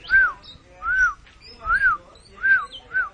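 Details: Kacer (oriental magpie-robin) in mbagong mbesi song, body puffed like a balloon: five slow, full arched whistles, each rising and falling smoothly, spaced about seven-tenths of a second apart, with faint high flicks between.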